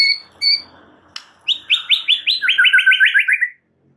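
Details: White-rumped shama training master song: two whistled notes, a sharp click, then a fast run of rising buzzy notes that speeds into a quick descending trill before stopping abruptly.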